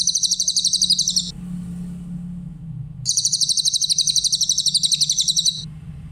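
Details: Grey-headed canary-flycatcher song, clear-voiced and meant for training other songbirds: a high, rapid pulsed trill, a pause with a low hum, then a longer trill of similar shrill, fast pulses.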